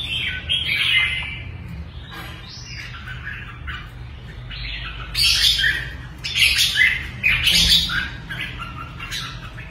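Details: Red-whiskered bulbul, a caged bird kept for singing contests, delivering loud warbled phrases of slurred whistles and chattering notes in bursts, densest in the second half, over a low steady hum.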